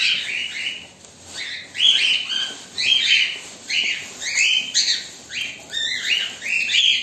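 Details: Cockatiels kept as pets, black and white birds, calling while waiting: a near-continuous run of raspy, high chirping screeches, about two per second, rising and falling in loudness.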